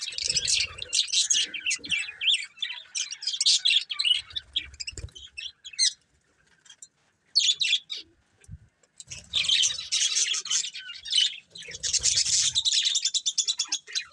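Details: Budgies warbling and chirping in long bouts, with a near-silent pause midway before the scratchy chatter resumes, faint low rustles underneath.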